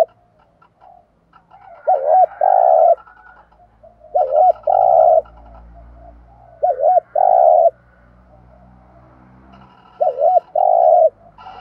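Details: Decoy spotted dove calling to lure wild birds. Four evenly spaced cooing phrases arrive about every two and a half seconds, each a short warbled double note and then a sustained hollow coo. A faint low rumble sits underneath.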